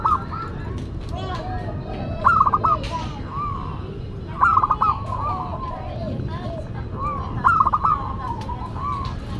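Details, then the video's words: Zebra dove of local stock, in full voice with a classic, unusual song: three phrases spaced about 2–3 seconds apart, each opening with a sharp staccato cluster and dropping into lower rolling coos, under constant low rumble and murmuring. "Perkutut Lokal Gacor Suara KLASIK Dan UNIK"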